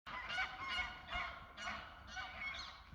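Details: Greylag geese honking: about five loud, harsh, nasal honks that rise and fall in pitch, coming roughly every half second over three seconds, with a faint low rumble underneath.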